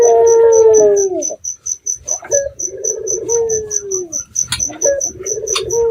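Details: Red-eyed dove lure, local bird, night recording meant to provoke answering doves: a long hoarse coo falling at its end, then further purring coos after a brief pause, backed by regular insect ticking.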